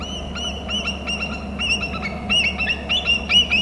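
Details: Bald eagle calling near its nest and territory on Hornby Island, heard on a nest camera: a series of sharp, high, squeaky chittering notes repeated in quick bursts, with a steady low hum underneath.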